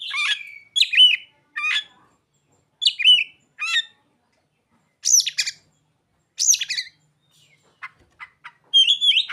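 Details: Oriental magpie-robin (kacer) singing with mimicked ciblek and sogon phrases: varied high whistled and chattery bursts with quick rising and falling notes, in short phrases separated by brief pauses.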